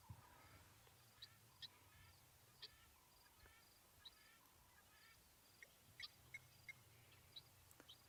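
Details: Nervous, jumpy helmeted guineafowl on a morning game drive on 10 May 2020 at Ngala Private Game Reserve, South Africa, give harsh, clipped notes in scattered bursts over a low engine rumble; these are slight alarm calls, though their territorial call sounds similar.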